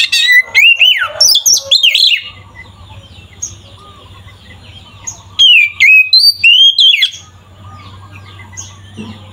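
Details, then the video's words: Caged Oriental magpie-robin delivering aggressive song to excite rival magpie-robins: two bursts of loud whistled, swooping notes with sharp high clicks, separated by a quiet stretch with steady low hum. "Suara burung Kacer GACOR ini sangat ampuh untuk menaikan emosi kacer"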